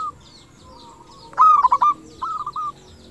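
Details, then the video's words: Local zebra dove with a clear 'crystal' voice, used as a lure to make other doves answer quickly: a brief burst of rapid staccato cooing notes, then a shorter second trill of four notes, with faint background hiss. "PERKUTUT LOKAL GACOR SUARA KRISTAL - Pancingan perkutut bikin cepat nyaut"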